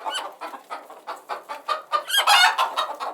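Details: Chickens cluck in steady pulses roughly three per second, rising into a loud, harsh squawk toward the end.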